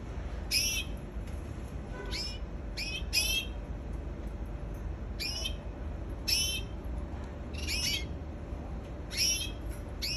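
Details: Canary singing: repeated bright trilled bursts of quick downward-sweeping whistled notes, roughly eight phrases spaced a second or so apart, over a constant low hum.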